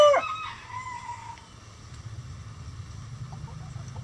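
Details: Hen in a coop with a mixed flock of egg-laying breeds gives one sharp squawk sliding into a fading drawn note, followed by soft distant clucks over a steady low hum.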